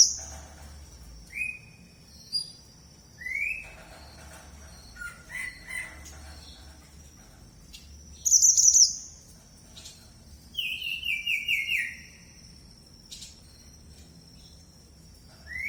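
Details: Red mantenan bird calling sparsely: short upslurred whistles every second or two, a high rapid trill, and a longer descending trilled phrase, with a steady thin high tone throughout.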